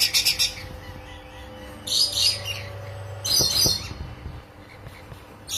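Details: Caged rainbow lorikeets during mating give loud, shrill, rasping screeches in a few separated bursts, with a steady low hum underneath.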